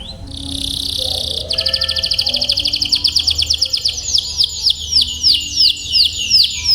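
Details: Canary singing tutor song for training young birds to roll long. A steady high buzzy note gives way to a fast rattling trill. The trill gradually slows into separate falling whistled sweeps.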